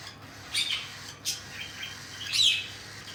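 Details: Cockatiel chicks being fed by their parents: three short, raspy, high-pitched bursts spaced about a second apart, with quiet gaps and low background hiss between them.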